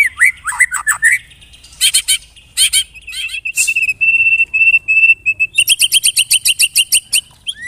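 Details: White-rumped shama lure song (pancingan) used to draw other shamas into song: opening downslurred whistles, clipped chirps, a row of steady flat whistled notes, then a fast, regular series of high chirps.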